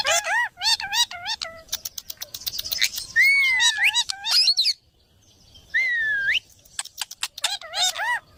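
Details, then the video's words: Parrot calling with quick warbled chirps, a long wavering whistle, a drawn-out rising whistle after a pause, then more rapid chirping notes. "funny parrot sound"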